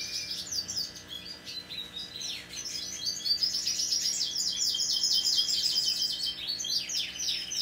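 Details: A hand-tame Pacific parrotlet chatters in dense, rapid high chirps on 26 November 2021, short clipped tweets tumbling out almost continuously and building to a busy middle stretch, a low hum underneath.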